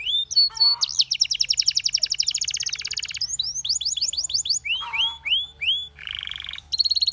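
A Belgian canary sings a fast, high song of rolling trills and repeated upslurred whistles, switching to a new note pattern every second or so.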